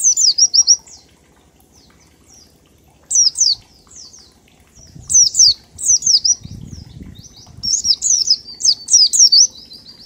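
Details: Oriental white-eye (pleci) giving ngalas-style song of 1234 beats, used as a lure to get other birds singing: high-pitched, rapid zigzag chirps in short runs separated by pauses, with a faint low patter in the background.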